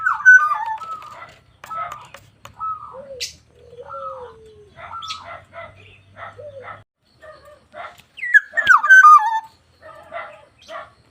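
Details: Black-naped oriole singing: short runs of harsh, nasal buzzy notes, low sliding whistles, then a loud fluty phrase near the end that drops in steps, followed by more rasping notes.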